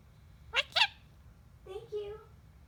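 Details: Pet bird saying "thank you": two quick, sharp, noisy syllables, a pause, then a drawn-out tonal, nasal phrase with a slight wavering pitch, indoors with a low background hum.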